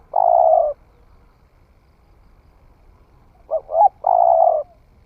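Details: A long mellow coo from a spotted dove just starting to call, tested in the forest, then after a three-second pause a fresh phrase of two brief notes and another sustained coo.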